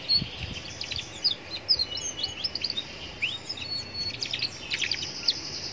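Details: Young Atlantic canary singing beside a roadside as a lure to make other canaries answer: a busy run of high, quick chirps and short whistled notes, some sliding, with a few longer steady tones and a low street-noise background.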